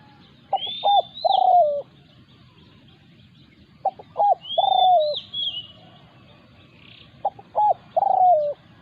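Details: Spotted dove during decoy trapping, with a wild resident bird defending its ground: three repeated cooing phrases, each a pair of short notes and a drawn-out falling coo, about every three seconds, with a high arched whistle from another bird.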